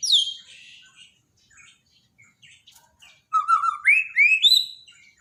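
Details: Borneo white-rumped shama from a daily training track for a bird that stopped singing. A sharp descending whistle opens it, quiet scattered notes follow, then a loud run of whistles climbs in steps.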